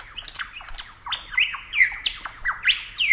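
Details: Superb Lyrebird from Australia, a rapid jumble of bright whistles, sharp downward sweeps and squeaky notes repeated several times a second, loud and rich throughout.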